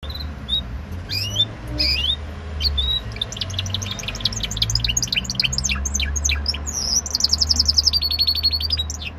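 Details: Timbrado Español canary in Greece singing a varied high song: rising whistled slurs and short chips, then rapid trilled runs and a long rolling trill of repeated notes; a low hum underneath.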